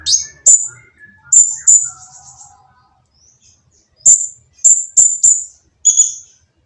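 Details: Oriental magpie-robin with a coarse, noisy song used to prompt silent birds to sing. It gives clusters of sharp, high chips, a quiet pause, then a quick series of shrill notes ending in a fuller whistled phrase.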